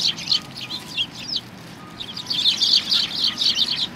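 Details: Sparrows gathering to be fed at a Tenmangu shrine, 25 November 2020; clusters of sharp, high chirps, a short lull near the middle, then a denser burst of chattering from several birds.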